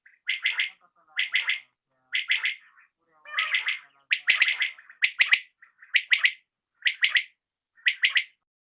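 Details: Common quail heard in the evening: a clear, steady series of three-note calls, each phrase sharp and quick, repeated roughly every 0.8 seconds against quiet surroundings.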